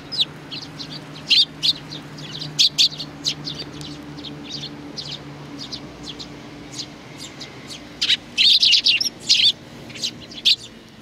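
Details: Sparrows, an adult with a chick, recorded on 3 July 2019: bright, high chirps in irregular bursts, with a dense cluster of rapid chirping near the end over a low steady hum.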